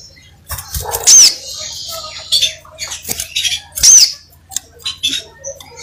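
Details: Crimson sunbird in energetic song, a few thin, high, slurred whistles mixed with quick squeaky chatter and bursts of scratchy sound, over a low constant hum.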